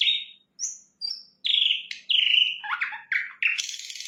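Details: Sikatan londo flycatcher singing vigorously: a series of clear whistled notes and short warbled phrases, each near the same high pitch, separated by brief pauses, ending in a thin, hissing, very high note.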